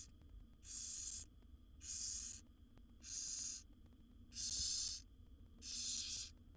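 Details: Barn owl owlets, seven wild chicks in a nest box fed by their mother, producing five rough hissing screeches in steady rhythm, about one every 1.2 seconds, against a quiet low-frequency hum.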